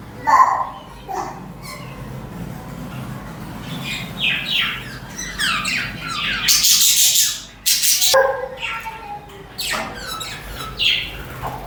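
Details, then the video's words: Budgerigar (parakeet) chatter: irregular scratchy chirps and squawks, with two loud broad rushing bursts around the middle that may be wingbeats or handling noise, then more chirping. "The Soul of a Budgie | Peaceful Chirping Sounds to Soothe the Mind"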